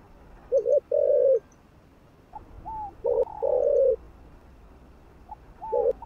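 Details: Spotted dove in captivity giving its stimulating coo: short clipped coo followed by a longer steady one, preceded by faint higher slurred notes, phrases spaced about two to three seconds apart, little other sound.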